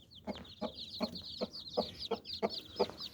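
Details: Regular, quick hen clucks, close to three per second, come from a hen calling her nine chicks under her wings for protection or rest, with high chick peeps overlapping.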